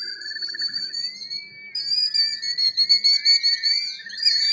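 A killdeer gives shrill, high whistled notes, some slurred upward, with a quick run of sharp repeated notes midway; the background is quiet.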